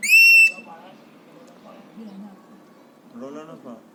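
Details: A happy, excited three-year-old pet Alexandrine parakeet, a mimic of coughs, whistles and screams, gives one loud, pure, steady whistle. Afterwards come faint murmurs and a short chattering, speech-like sound near the end.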